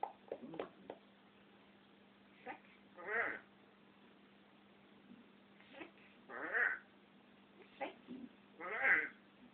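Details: African grey parrot kept indoors as a pet, said to be camera shy and to go quiet when it sees the camera, vocalizing in short harmonic bursts, some rising and falling, with three stronger wavering calls spaced a few seconds apart.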